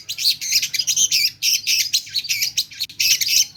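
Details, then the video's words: Long-tailed shrike in full song of mimicked phrases, a continuous stream of harsh buzzy chattering notes with brief squeaky whistles, hardly a break across the clip. "Cendet gacor ll pentet motor GP nembak full isian lasrol"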